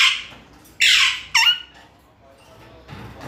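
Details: Pet parrot giving two loud, harsh, broadband squawks about half a second apart. Each squawk is a short burst that drops slightly in pitch. Quiet gaps follow, with a fainter rustle near the end.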